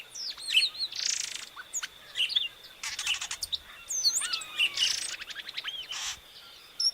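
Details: Inhapim, the epaulet oriole, singing a busy mix of bright whistles, hooked slurs and rapid chips, broken by several short bursts of hiss, over a steady thin background tone.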